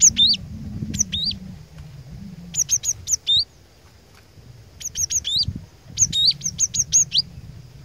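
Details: Lure cinereous tit (glatik batu) repeating high, piercing double notes in clustered phrases, separated by a silent second or two, over a steady low hum.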